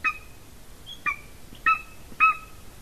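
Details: Golden eagle female at her Latvian nest on 30 January 2019, in the afternoon, close to a nest camera. Four brief, clear yelping notes with a thin upper overtone, spaced roughly half a second apart over faint background hiss.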